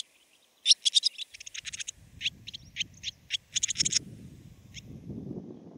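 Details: Barn swallow of Siberia delivering a string of sharp high twitters and chirps that thins out and stops, while a low rumbling background noise grows louder.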